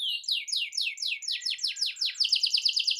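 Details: Canary song for prompting a silent canary to sing: a steady run of sharp, downslurred high notes, about six per second, ending in a faster, tighter trill.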